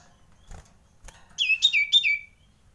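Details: Common iora, described as frightened: three loud downslurred notes, each dropping sharply then levelling off, given in a quick burst after two soft taps.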